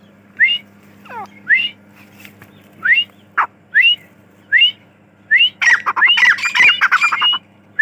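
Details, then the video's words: Dakhni teetar, the grey francolin, calling with short rising whistled notes repeated about once a second, building into a dense excited burst of overlapping whistles and harsh squawks near the end; a low hum runs beneath. "Dakhni Teetar ki Awaz"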